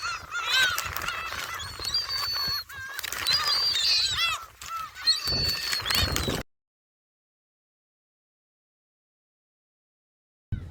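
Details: Flock of gulls at Jebudo, Korea, fed shrimp snacks, calling busily for about six seconds with repeated arched, squealing cries and a few long wails, then sudden silence.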